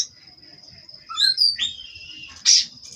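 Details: Caged Oriental magpie-robin from a Cirebon-line breeder giving a few sliding whistled notes and one harsh burst over a sustained thin high tone, with quiet gaps between.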